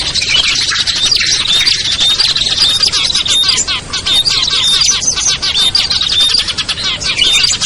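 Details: Lure recording aimed at small birds that are difficult to bring down: noisy, layered high chirping and thin whistled notes repeated densely, with no quiet gaps.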